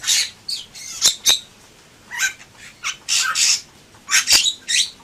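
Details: Bali myna (Leucopsar rothschildi) in gacor song: grating, hissy bursts separated by short silences, with crisp clicking notes early on.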